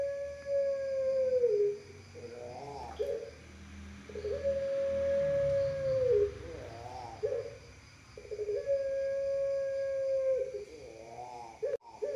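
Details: Barbary dove from a national-champion line, used as a master recording to prompt other doves to coo, holds a long, steady coo that dips at the end, then rolls into a burbling phrase, about every four seconds over a faint low hum.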